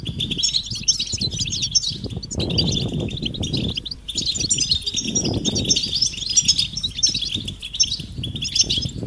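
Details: European goldfinch mating and readiness calls to stimulate males: fast, high, tinkling twitter in bursts, briefly breaking off twice, with loud low rumbling and fluttering noise in the background.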